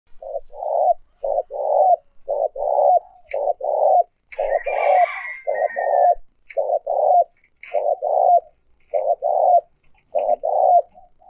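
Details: Old wild-caught decoy spotted dove, used with a trap speaker to lure wild doves, giving a long run of short low hollow coo notes in quick uneven clusters, with a brief higher whistled note midway.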